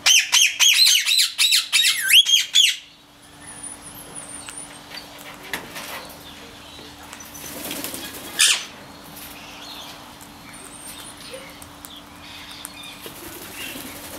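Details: A turquoise rose-ringed (ringneck) parakeet whistling gives a rapid burst of harsh, high, screechy calls for about three seconds, then only faint distant chirps over a low steady hum.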